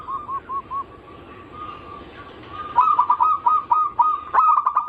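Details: Zebra dove cooing from a lure mix of anggungan, local, Bangkok and crossing song styles, used to draw out other doves' singing. A few soft rounded coos and a hushed stretch give way to a loud, rapid, stuttering run of notes.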